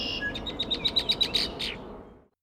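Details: A female Red-winged Blackbird sings in response to a singing male, a quick chattering run of about nine high, sharp chit notes, ending in a couple of harsher, buzzier notes.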